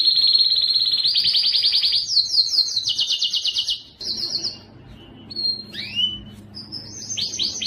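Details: Canary singing to encourage males to sing: high rapid trills climbing in steps, a sudden break, then scattered sweeping whistled notes and swooping chirps.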